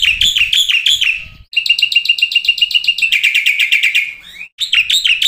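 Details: Black-winged starling song from a tutor track that serves as a singing lure. It is a loud, dense chatter of rapid metallic notes that runs into a fast rattling trill, then a rising slur, and then more chatter.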